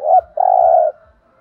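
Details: Fragment of spotted dove 'thúc gù' song in the 'thổ đồng' voice: the tail of a short bent note, then one long steady mellow coo fading out.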